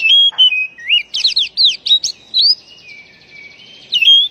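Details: White-rumped shama, lure sound for a bird that has stopped singing; clear whistles, a run of fast rising and falling notes, then a long soft descending whistle and a final bright phrase.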